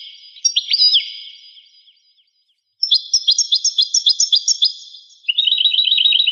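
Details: Rare 1985 recording of a European goldfinch singing. A twittering phrase with looping slurred notes, a short silence, then a fast run of tinkling repeated notes ending in a rapid, rattling trill of chirps.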